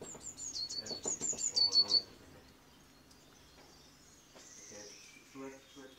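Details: Great tit at a feeder on an office window, where it comes to eat walnuts, hazelnuts and seeds. A quick burst of thin, very high chirps lasts about two seconds, then quieter background sounds follow.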